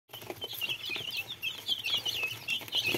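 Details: Several little chicks peeping together, a dense overlapping chorus of high thin chirps, with rustling and pattering underneath.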